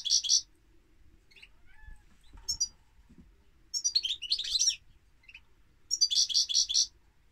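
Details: European goldfinch singing: three bursts of high, bright twittering, each a rapid run of tinkling, buzzy notes lasting under a second, separated by quiet pauses with a few soft isolated chirps.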